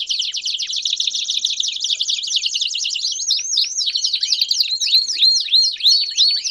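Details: Multiple Belgian canaries singing: a quick, buzzy trill for three seconds, then looping whistled notes that rise and fall, repeated about three times per second.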